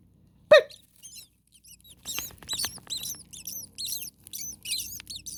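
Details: Young common starlings in a hot nest in an attic, a parent close by: one sharp loud click, then a busy run of high, thin, bending squeaks and chirps crowding together over faint low hum.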